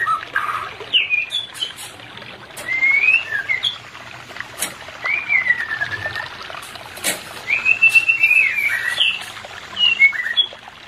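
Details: White-rumped shama whistles, aimed at a pair lacking breeding drive: loud slurred phrases, some long and descending, others quick and rising, spaced across the recording with clicks and a trickling background.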